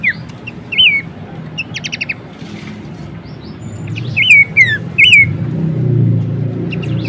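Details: Horsfield's babbler, recorded as a song-training track for cage birds: a few scattered whistled notes that rise then fall, with one brief rapid trill, separated by pauses over a steady low rumbling background.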